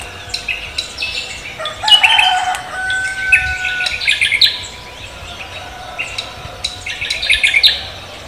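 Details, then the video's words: Morning song of a cucak kombo, a lively singer: clustered high chirps and twittering bursts, brief quiet gaps, and a steady held whistle running underneath, with outdoor background birds. "cucak kombo koak kelapa gacor menyambut pagi"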